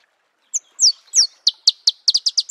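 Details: High, clear Marico sunbird notes in natural habitat, starting with slurred downward whistles and accelerating into a rapid series of sharp, piercing chips.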